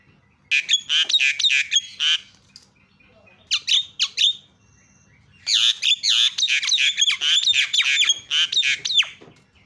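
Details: Javan myna calling as a lure to make other mynas call: dense bursts of harsh, chattering squawks and whistles in rapid series, with a short quiet gap between bursts.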